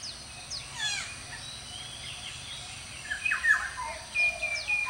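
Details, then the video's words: Red-breasted parakeets, including a male, at Walailak University on 18 February 2015 give short, sharp, downward-sweeping squawks, scattered and overlapping, with a few thin whistles and a steady outdoor hiss. "Red-breasted Parakeet"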